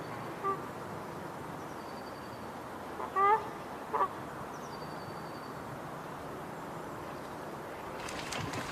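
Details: Three short nasal honks from a Canada goose, one alone and then a quick close pair, over constant low background noise, ending with a burst of broadband rustling.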